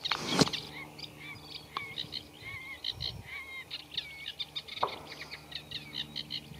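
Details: Eurasian reed warbler in a reed bed, its scratchy song holding mimicry of other birds, including Common Redshank. Chatter and whistled slurs are interrupted by two loud, sharp bangs.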